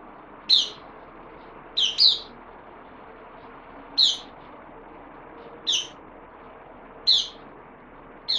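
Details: Bulbul, a newcomer on loan, 12 September 2020: short sharp chirped notes, singly or in quick pairs, spaced one to two seconds apart against a low constant hiss.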